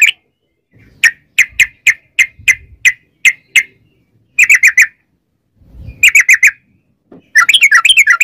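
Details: Yellow-vented bulbul singing a long 'ropel' lure song to prompt other bulbuls: evenly spaced sharp chirps, then tight clusters of three or four quick notes, ending in a rapid chattering flourish.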